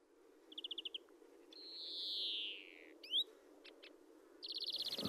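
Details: Male European greenfinch song: quick rattling trills of repeated notes, a long drawn-out wheezy buzz falling in pitch, then more rapid trilling.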